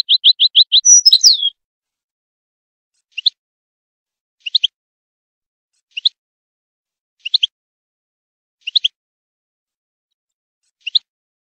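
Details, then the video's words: Wild goldfinch singing for teaching young goldfinches, recorded in 2022: a fast run of repeated high notes ending in a twittery flourish, then single short high chips spaced about every second and a half. "Wild goldfinch song for young goldfinch schooling"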